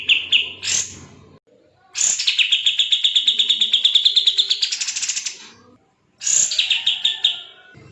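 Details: A bulbul, used as tutor song for other cage birds, delivers a dense, rapid rattle of repeated chipping notes, opening with a high falling slur and rising toward the end of a three-second run, followed by a pause and another burst.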